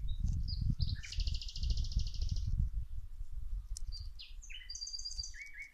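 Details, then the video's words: Birds sing while plants are being watered, a rapid bright trill followed by short high chirps and slurred whistles, over a steady loud low rumble. "Watering the plants while the birds singing"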